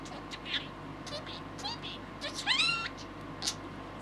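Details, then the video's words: Young male American budgie aged six months, a pet, saying words to a green yoyo ball; a clear rising, harmonic speech-like phrase stands out among short chirps and clicks over low room hum. "Talking Parakeet"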